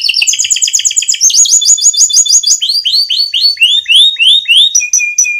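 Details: Vigorously singing canary giving a long rolling tutor song meant to lure other canaries into song: fast chirping trills, then a run of repeated swooping down-slurred notes, ending on a steady higher trill.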